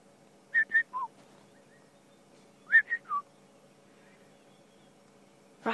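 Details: A boubou calling from a riverbed at sunrise on a July 27, 2016 safari drive, after overnight rain: two short bursts of clear whistled notes, each a pair of high notes then a lower falling one, about two seconds apart, over a low engine hum.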